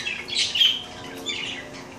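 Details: Domestic female parakeet during her daily bath; a quick run of raspy chirps and a short whistled note, then a second, softer chattering burst before fading.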